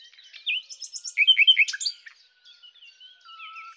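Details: Song of a common nightingale (Luscinia megarhynchos): a rapid jumble of chirps and repeated sharp notes, fading into soft scattered whistles and one low drawn-out tone.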